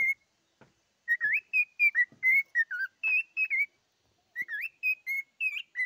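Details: A cockatiel sings in bursts: after a near-silent start, a fluid series of whistled notes with one looping twist, a pause of over half a second, then another phrase of short clear whistles.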